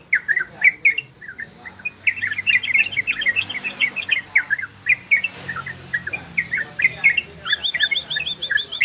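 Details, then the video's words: Orange-spotted bulbul in ropel and garudo song, meant to excite listening birds into breeding condition: nearly continuous lively chatter of quick rising and falling chirps, with a run of evenly repeated notes near the end. "Suara Trocokan Ropel dan Garudo"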